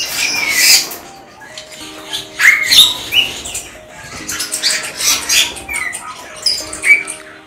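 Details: A captive Rosy Starling, a migrant kept at an Indonesian bird-breeding farm where it has built nests but not yet laid, gives harsh, grating squawks and chatter in irregular bursts of several per second, over low steady tones.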